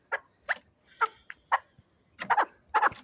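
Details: Fighting chukar partridge from Shahritus giving short, clipped harmonic notes in uneven bursts, about two per second, with a few softer faint notes between them over a quiet background.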